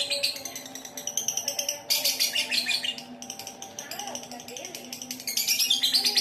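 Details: Lovebird giving the long trilling ngekek song as a lure to make other birds sing: fast, shrill chattering pulses strung into extended trills, with a low background hum.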